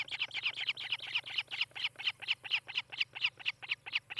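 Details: Osprey at its nest in Charlo, Montana, on a nest camera, 18 July 2018, late morning: a steady run of sharp, high chirps, about five per second, each bright and slightly rising, over a faint low electrical hum.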